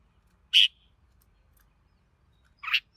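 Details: Red-whiskered bulbul song notes: one loud, rich, slightly trailing note, then two seconds of near silence before a second, broader slurred note; no other clear sounds.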